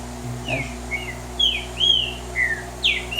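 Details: A green-winged saltator, a bird perched on a person's arm, gives short clear whistled notes, some slurred up and down, spaced irregularly over a steady low indoor hum.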